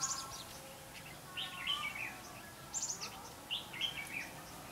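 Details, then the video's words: Red-whiskered bulbul singing as a decoy during trapping, 5 November 2016. Several quick, bubbling warbled phrases rise and fall, spaced by brief pauses. "Bẫy chào mào đá lân"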